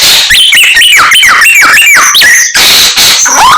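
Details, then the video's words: Common myna in lively imitative song, rapid looping whistled notes rising and dipping about twice a second, ending in a sharp break and a slurred rising whistle. "Samyong Gacor full isian Burung Sak Kebon Dadi siji"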